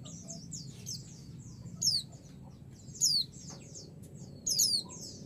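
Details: Female white-eye calling a male so he answers excitedly; continuous high, thin twittering with three loud down-slurred chirps spaced roughly a second and a quarter apart, and a steady low-pitched hum behind.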